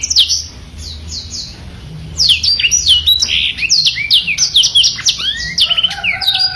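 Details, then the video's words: Black-throated canary singing energetically, recorded as a tutor song for training other birds: a brief run of repeated high, down-slurred notes, then a loud, fast, varied warble of sweeping whistles, buzzy trills and chirps. "BLACKTRHOAT SUPER GACOR MASTERAN"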